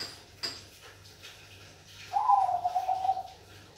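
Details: Singing Bangkok perkutut (zebra dove). A brief click is followed by quiet, then a rippling, trilled coo of roughly a second that starts higher and flattens out, over a low continuous hum.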